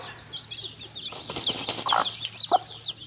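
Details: A broody mother hen playing in mud with her chicks: low clucks and a short squawk mixed with many thin high peeps from the chicks, plus rustling and scratching noise.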